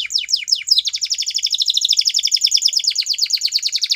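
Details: Belgian canary singing, used to encourage canaries to sing: several falling notes leading into a long, fast, evenly pulsed rolling trill that continues throughout.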